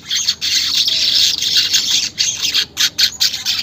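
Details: Unedited weaver song meant to make caged birds sing fast: an almost unbroken hissing, buzzy chatter in high tones, broken by a few brief pauses near the end.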